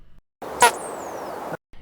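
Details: A male Calliope hummingbird's courtship dive display: a sudden brief buzzy burst, then a thin, very high tone sliding down over about half a second, a sound made by the tail feathers, against soft hiss.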